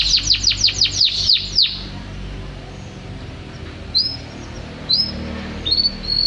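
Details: Canary in full song: a quick burst of eight sharp downward-sweeping whistles, then a pause and a few separate short rising-then-level whistled notes spaced about a second apart.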